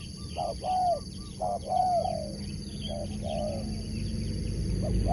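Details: Competition Spotted dove cooing in a quick uneven series of soft, slightly falling notes that fade after three seconds into a low rumble and a constant high-pitched hum.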